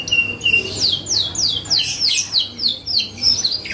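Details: Canary in full, energetic song, used as a lure to provoke other birds into answering: a steady run of bright, sweeping downslurred whistles repeated about three times a second, high and clear over a faint low hum.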